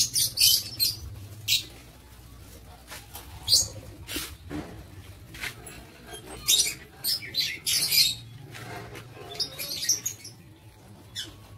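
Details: Lovebirds in an aviary on 7 April 2023, giving scattered harsh, high-pitched shrieking chirps in short bursts separated by quieter gaps, with a faint low hum underneath.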